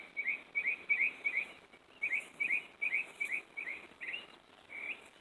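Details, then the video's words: Northern mockingbird singing in a tree in the early morning after a full night of singing: bright, chirpy phrases, each repeated several times before switching to a new one, over a steady hiss of background noise. "Singing Mocking Bird"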